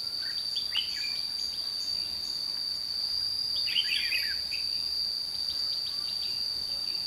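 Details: Red-whiskered bulbul at a trapping site at Chùa Hương, 22 June 2016: a short chirp early on, then a bright tumbling warbled phrase near the middle, all under a constant shrill insect whine.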